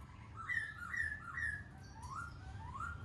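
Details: A Black-throated laughingthrush sings as it dances: soft whistled phrases, a few level notes, then slow rising slurs, against a low murmur.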